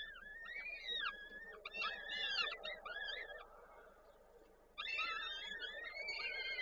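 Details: Peregrine falcon nest in Koszalin, 13 May 2022, with the female feeding chicks on prey the male delivered; rapid strings of high, downward-curving squeals, a short lull, then another burst of overlapping calls.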